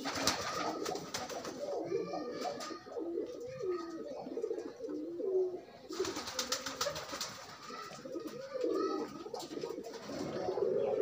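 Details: Pigeons pairing off freely give courtship coos, low gurgling notes mixed with frequent rustling, scuffling and wing-flap noise that often covers them.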